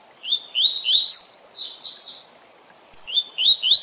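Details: Captive-training recording of a double-collared seedeater, Tui Tui Zel Zel song: three upslurred whistles lead into loud buzzy descending notes, then a new phrase of rising whistles begins.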